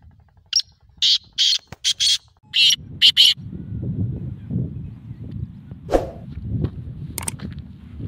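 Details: Black francolin calling: a harsh, grating phrase of six rasping, evenly spaced notes lasting about three seconds, followed by low rustling background noise and a few faint clicks.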